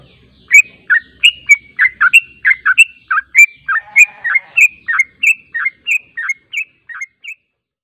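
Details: Yellow-vented bulbul lure call intended to get birds answering: a lively series of bubbly, warbling chirps delivered about three per second for seven seconds, briefly joined mid-way by a low rough buzz.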